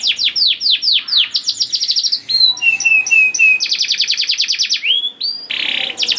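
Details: Canary song played to encourage young canaries to sing: falling whistled sweeps speeding into a trill, level whistled notes repeated, a long rapid rattle, and a final buzzy phrase.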